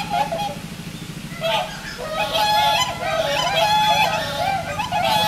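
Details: In a late-afternoon November display at a Tokyo park aquatic zoo, four swans trumpet in alternating pairs, necks bobbing; nasal, wavering honks overlap in bursts roughly every second or two over a low steady hum.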